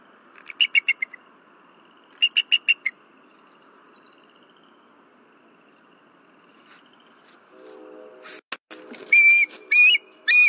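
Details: Female bald eagle on her Berry College nest, disturbed at night around 10:10 pm on 15 February 2023, calling until her mate arrives: two bursts of high, staccato chittering notes, a quiet droning stretch, then loud tonal whistled notes near the end.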